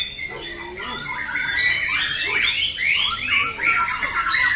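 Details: Competition white-rumped shamas, fighter birds, at JBC Jatisari, Bekasi, on Friday 14 June 2024, trade fast overlapping whistled phrases and chatters, roughly two or three notes per second, over soft background voices.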